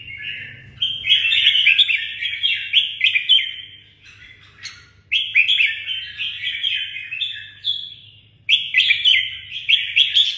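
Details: Kept red-whiskered bulbul in Vietnam repeats bursts of fast, jumbled whistled notes, three main phrases separated by pauses of about a second, over a steady low background hum.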